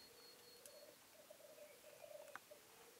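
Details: Black grouse at their display during the 2015 mating season give a low, continuous bubbling coo, a rolling murmur that swells and fades for three seconds, with a few sharp clicks and a faint high note.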